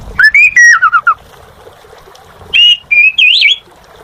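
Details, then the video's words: Clear whistled phrases from an Asian pied starling in gacor song: a rising then stepwise falling whistle, then after a pause a steady whistle leading into a warbling, wavering trill. "Suara Burung Jalak Suren Gacor"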